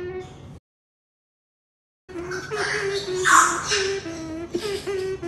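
A Moluccan cockatoo sings in a drawn-out, wavering, voice-like tone with a few harsher, raspy bursts, after a short pause near the start.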